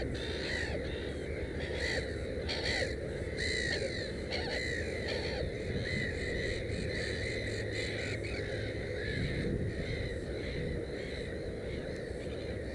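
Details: Black-headed gull at its nest with three chicks: short, harsh, arched calls repeated roughly every half second to one second through the clip, some overlapping, over a steady low rumbling background noise.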